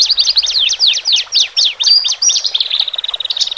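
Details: Horsfield's bush larks, male and female, singing to help birds fresh from the flock adjust to a cage. Quick high swooping chirps run in a chain, then speed up into a rapid buzzy trill.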